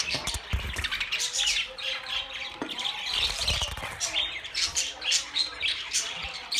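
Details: Busy budgerigar chatter of buzzy, warbled chirps and harsh squawks, almost continuous, with low thumping knocks in the background.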